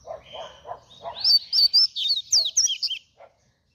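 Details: Double-collared seedeater delivering a fast song: a rapid string of sharp high whistled and trilled notes, about two seconds long, after softer lower chirps.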